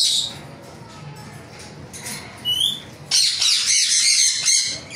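Ringneck parrot giving a few thin whistled chirps, then a loud burst of harsh, rapid, high-pitched screeching squawks for the last two seconds.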